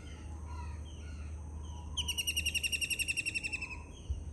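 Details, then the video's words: A kingfisher gives a fast, harsh rattling trill of rapid repeated notes lasting about two seconds, over a steady low rumble of background noise. "Kingfisher bird calling"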